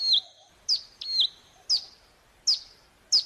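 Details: Hill prinia used as a lure to make birds answer. High whistled slurs alternate with sharp single chips, several notes packed into a few seconds.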